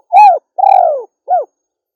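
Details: Three-part coo of a female spotted dove: a full arched note, a long vibrating note sliding down, then a short soft tail note, delivered clearly against silence.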